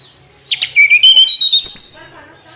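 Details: Flycatcher song opening with two quick clicks and then a fast string of about ten high whistled notes that step upward before fading. The background is quiet.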